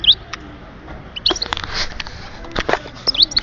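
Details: European goldfinch from Oued Souf, recorded in 2010, giving short sharp twittering notes among clicks and knocking sounds, in scattered bursts.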